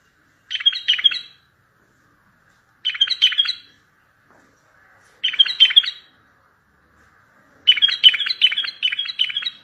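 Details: Strong bulbul song used to start mute birds singing and to call in far-off bulbuls for trapping. Four short bursts of rapid, liquid chirping phrases arrive every two to three seconds, and the last burst is longer.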